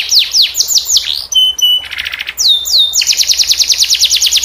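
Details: Canary singing a unique-style (cengkok unik), lively song, used as master song for teaching canaries and as therapy: fast downward-sweeping whistled notes, a short buzzy rattle, then a long rapid run of repeated sweeping syllables.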